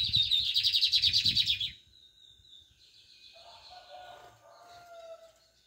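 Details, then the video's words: A brownish lined seedeater delivers a loud rapid buzzy trill with low thumping noise beneath, which stops suddenly; softer high notes and a lower whistled phrase follow in the quiet afterward. "BIGODINHO PARDINHO DANDO UM EXCELENTE CANTO!"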